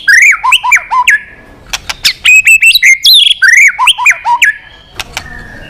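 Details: White-rumped shama in long song to provoke a fight: fast series of looping whistled phrases dipping and rising, interspersed with sharp clicks, about two and a half per second.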